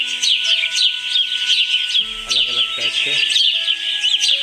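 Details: Birds singing: continuous high chirping and short whistles in quick succession, blended with sustained background music tones.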